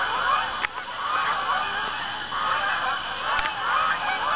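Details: Evening flock of geese at an Arkansas pond near sundown, early October, with birds arriving to land. Continuous distant honking blends into a steady wash of overlapping nasal calls, with two short sharp knocks.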